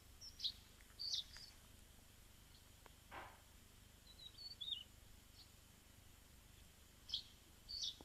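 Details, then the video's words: Mountain wagtail, a very vocal, tail-bobbing bird nesting in cliffs, rock crevices and waterfalls, giving high, sharp chirps in short bursts a few seconds apart, one note slurring downward, with a dull thump and faint background hiss. "This is the call of the mountain wagtail."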